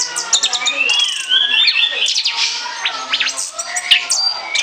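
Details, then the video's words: Orange-headed thrush chattering nonstop for lure use, mixing gurgling, warbled notes with long gliding whistles and scattered sharp high clicks in a rich, unbroken stream. "ANIS KEMBANG NGOCEH NGEPLOOONG"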